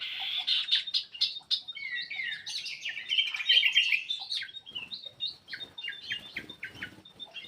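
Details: Lively black-crested bulbul song, played to encourage reluctant birds to start singing: dense run of rapid warbled and chirped notes for about four seconds, then shorter repeated clipped whistles with faint rustling beneath.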